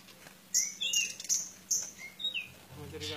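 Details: Pied bushchat singing in fight mode with a run of piercing high whistles alternating with lower rising slurs, about one note every half second, ending in a scratchy rattle.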